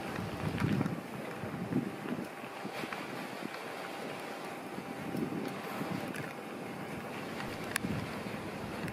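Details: Gusting wind buffets the microphone with low rumbling and scattered knocks, a faint steady hum underneath, and no animal calls.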